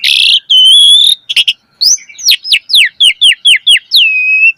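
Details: Asian pied starling in full song, used to coax caged starlings into richer singing: a loud harsh burst, a drawn-out whistle, brief rattles, then a fast series of downslurred whistles, about two per second, ending in a falling whistle.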